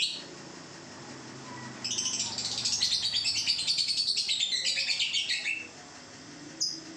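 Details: Young lovebird, two months old, performing the long ngekek: after a quiet start, a fast, steady chattering trill of high pulses runs almost four seconds, then stops, followed by one short chirp.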